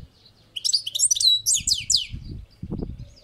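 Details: European goldfinch singing on a balcony: a quick burst of high, tinkling twittered notes with sliding whistles, followed by low dull thumps and knocking near the end.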